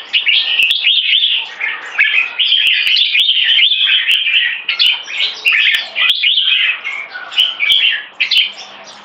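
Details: Red-whiskered bulbul, locally jambul, two caged competition birds singing against each other, one in molt: sustained, rich warbling of fluty whistles and chattery notes, with frequent sharp clicks throughout.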